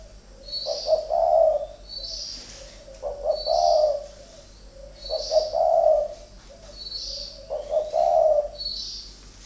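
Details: Cooing bouts from two decoy spotted doves pitted against each other: grouped throaty coo phrases recur about every two and a half seconds, while high, thin chirping notes from other small birds alternate in the pauses.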